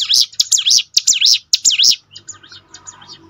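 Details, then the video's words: Prinia song used to train birds to sing more often: fast series of high, sharply rising and falling whistled notes, about seven in under two seconds, then fainter scratchy twitters. "ciblek gunung mana yang gak tergoda ikut berbunyi"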